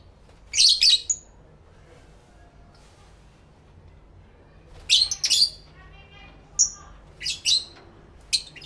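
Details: Pet lovebirds talking to each other: rapid shrill chirp bursts at the start and middle, then scattered short whistles and squeaks; a person briefly speaks just after.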